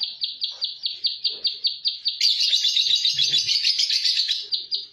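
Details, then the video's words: Plain prinia singing its close-packed rapid song: a fast train of high clipped notes, breaking into a dense, buzzy trill for about two seconds before the separate notes resume. "PRENJAK SAWAH TEMBAKAN RAPET"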